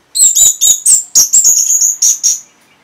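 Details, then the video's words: Orange-headed thrush stirred by a lure sound gives a fast, high-pitched series of about ten thin, tinkling notes in under three seconds, ending in a brief trill. "Reaksi ANIS MERAH Saat Dipancing Suara Ini !! Langsung Nyaut"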